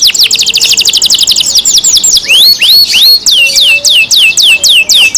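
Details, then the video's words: Canary in captivity singing: a fast rolling trill gives way to spaced, sweeping whistles that drop in pitch, delivered loudly and briskly. "canary Nice sound"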